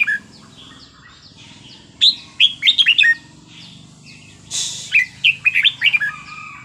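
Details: Red-whiskered bulbul singing a Thai wild-style song: cheerful grouped whistles rising and falling, a brief noisy rush midway, then another tumbling phrase over a soft hum.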